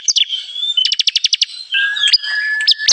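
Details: Lure recording of a Bar-winged prinia for trapping: a quick run of about eight clipped, high chirps, then longer drawn-out whistles and a few sharp, down-slurred notes.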